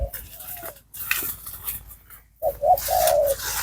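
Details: Spotted dove cooing during a decoy-trapping session: low hollow coos near the end, with rustling and handling noise throughout.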